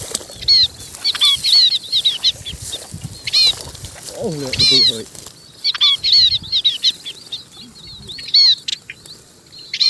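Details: Flock call of munias, a steady stream of high, thin whistled chips arriving in bunches every second or two, with a brief lower nasal sound midway and background hiss.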